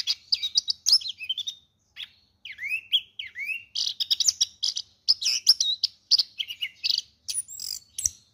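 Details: Orange-headed thrush in a worn cage, described as a good, prize-winning singer, pouring out a long varied song of down-slurred whistles, warbled phrases and sharp high chips, with a short pause midway.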